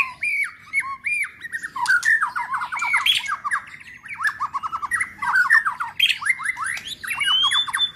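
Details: White-rumped shama in forceful, spirited song used to rouse other shamas: dense bursts of varied whistled and harsh, squawky notes in quick phrases, rising and falling, with brief pauses between bursts.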